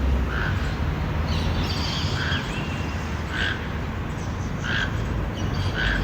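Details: Toucan calling loudly out in nature; hoarse, clipped croaks come at roughly one-second intervals, with faint higher chirps from other birds and a steady low rumble.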